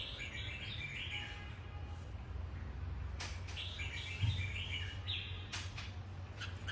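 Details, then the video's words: Platinum-patched mutant red-whiskered bulbul giving lilting, slightly rising chirpy phrases in several separate bursts, with a couple of sharp clicks and a low droning background. "Chim chào mào đột biến bông bạch kim"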